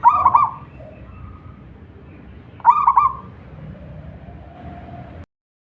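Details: Singing local zebra dove: two bright, bubbling cooing bursts, each with a quick stuttering roll, spaced about two and a half seconds apart, followed by faint soft coos in a quiet setting.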